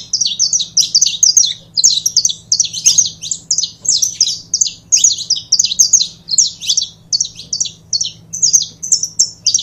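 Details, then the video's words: Canário-da-terra, the saffron finch, delivering a long unbroken run of quick, sharp chirps that alternate between two pitch levels, steady and rhythmic throughout, over a soft low mechanical hum. "CANARIO DA TERRA"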